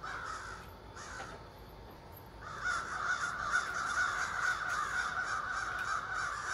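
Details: Over thirty ravens in trees across a street at morning: a few scattered hoarse caws, then a swelling, unbroken chorus of many grating calls overlapping.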